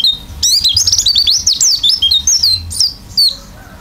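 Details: Oriental white-eye singing a lively, filled-in song: a fast, continuous stream of high, thin twittering notes with quick rising and falling slurs, running almost without pause for about three seconds before ending in a few scattered chips.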